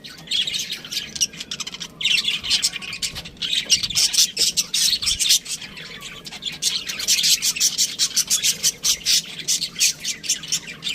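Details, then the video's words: Continuous budgerigar chatter: many high, buzzy chirps and squawks packed closely together, swelling louder in bursts, with no clear gaps between calls. "budgie chirping sounds | parakeet sounds"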